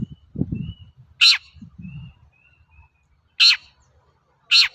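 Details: Long-tailed shrike used as a lure for untrained shrikes. Three loud, grating screech notes arrive at irregular intervals, separated by faint thin tones and soft low thuds.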